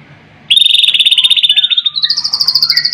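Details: White-rumped shama, called Murai Batu, delivers a long sustained whistle with a rapid vibrato, stepping up in pitch, followed by shorter slurred whistled phrases.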